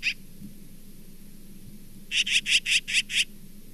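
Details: Osprey at the Charlo nest on 27 September 2023 gives a series of six sharp, high whistled chirps, about five a second, after a single opening note, over a low steady background rumble.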